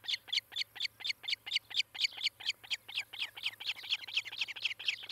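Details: Osprey at a nest near Charlo, Montana, on a nest camera, morning of 18 July 2018; loud, high, sharp whistled chirps repeated about twice per second in a steady run, with a low steady hum underneath.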